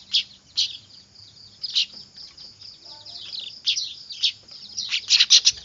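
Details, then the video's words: Clamorous weaver chicks, called manyar, played as a lure: high squeaky chatter punctuated by loud scratchy calls, building to a rapid cluster of bursts at the close. "Suara anakan burung manyar ribut cocok buat pikat"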